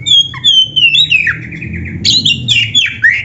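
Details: Oriental magpie-robin (kacer) singing a varied training song for caged birds: long, pure, slowly falling whistles, then a denser burst of high, rich whistled phrases, over a low hum.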